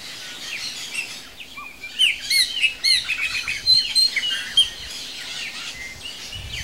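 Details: Chopi blackbird at a feeder, a species without sexual dimorphism; bright varied song of clear whistles, liquid upslurred notes and quick chattering phrases, several overlapping, over steady low background hum.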